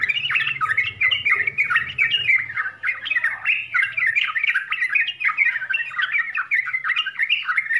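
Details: Yellow-vented bulbul singing a rich 'full isian' song: continuous fast chattering of short warbled notes and squeaks, jerky up-and-down phrases without pause, light low hum in the first half.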